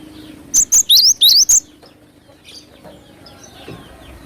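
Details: Glatik batu (cinereous tit) singing hard for luring: one short burst of about six bright, piercing, rising notes in quick succession, then faint background chirping.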